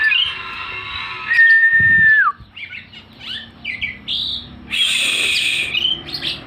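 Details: Oriental magpie-robin singing persistently and fanning its tail until snagged on a string: long clear whistled notes, one held then sliding down, followed by short varied chirps and a loud harsh burst near the end.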